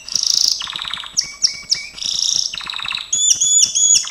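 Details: Dense training song from a Gloster canary, alternating high buzzy trills, low rolling passages and clipped whistled notes with almost no pause.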